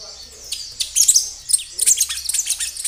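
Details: A kinoi sings busily outdoors in a lure recording to draw replies from other kinoi: a faint thin whistle, then a fast tumbling stream of high sharp chirps and short downslurred notes.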